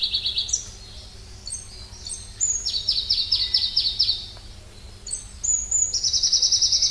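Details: High, varied singing from Pallas's leaf warbler (Phylloscopus proregulus): short whistled notes and brief phrases leading into a rapid chattering trill, then a shrill, very fast trill at the close.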